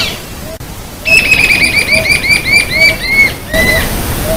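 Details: Narrow-billed Woodcreeper, a bird common in Brazil but rare in the Amazon region, singing a fast run of about fifteen clear, slightly descending whistled notes. They start after a second of quiet background and end with a few fainter notes.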